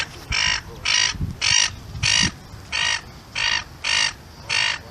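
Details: Gull giving a series of eight loud, harsh, nasal squawks in about five seconds, each short and evenly spaced, with a quiet low background.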